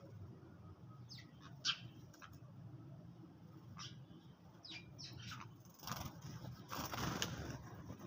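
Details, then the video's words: Sparrows feeding in the early morning give short, sharp chirps, scattered and irregular, with a brief flurry of wingbeats and a low background rumble. "Sparrows _ little birds_ chirping sound"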